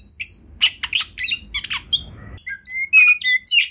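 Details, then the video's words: Oriental magpie-robin, known as kacer, singing a master song for training: a string of sharp chattering notes, a brief pause, then thin sweet whistles and high slurred phrases. "Lagu Kacer Satu Ini Sangat Bagus Buat Masteran Kacer Anda"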